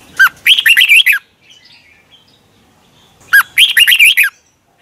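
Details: Red-whiskered bulbul warming up its voice in the morning, used as a lure so other birds sing hard. Two brisk phrases of loud, bubbling whistled notes a couple of seconds apart, with faint soft twitters between.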